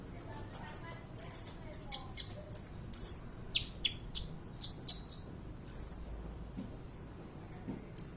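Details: Sunbird called kolibri ninja singing as tutor song for other birds; loud sharp high notes and twittery chips delivered in separate bursts roughly every half second, with quiet gaps.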